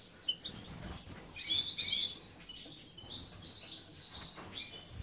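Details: Caged European goldfinches, Carduelis carduelis major, kept for breeding in Ioannina, Greece. Bright high twitters and liquid trills overlap in a busy chatter, with a faint low hum underneath.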